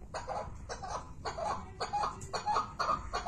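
Chukar partridge giving a harsh, clucking chuk-chuk phrase in rapid bursts about twice a second, over a low background rumble.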